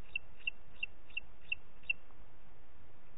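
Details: Booted eagle, Parc Natural dels Ports, 30 June 2021, 11:01: six clipped high notes about a third of a second apart, then quiet with only faint low background noise.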